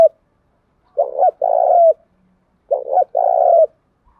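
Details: Spotted dove coo from a lure recording intended to bring wild doves in quickly and provoke fighting. Two deep double phrases, each a stuttered short note followed by a longer even coo, in otherwise quiet surroundings.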